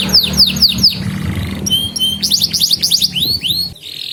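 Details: Canary song for tutoring young canaries and luring silent ones: repeated falling whistles, short level notes, a quick trill and arching rising-falling whistles, over faint low noise.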